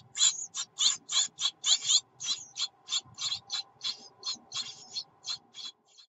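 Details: Great tit nestlings in warm weather, 24 June 2019, beg when the mother arrives with food: a rapid chorus of harsh, hissing rasps, about three bursts a second, with a faint low hum behind.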